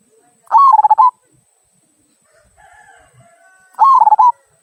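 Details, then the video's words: Two 'kung' song phrases from a local zebra dove, a song meant to stir other birds into singing: each a rising coo breaking into quick rolling pulses, roughly three seconds apart, with a faint brief hum between. "Perkutut Lokal Suara Kung, Cocok Untuk Pancingan"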